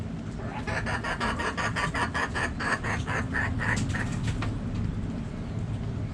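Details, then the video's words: Hens in a backyard flock cluck in a long fast train of short, harsh notes, roughly four to five per second, lasting about four seconds before fading under a low background hum. "Backyard Chickens Relaxing Sounds Noises Video Hens Clucking Roosters Crowing!"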